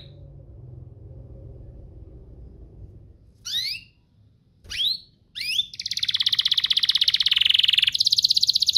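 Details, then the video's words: Canary duo used as prompting song for young canaries: about three seconds of near quiet with faint hum, three sharp swooping notes, then a long, loud, rapidly pulsed buzzy trill. "Kompilasi DUO GACOR, cocok untuk pancingan kenari biar gacor, masteran kenari paud"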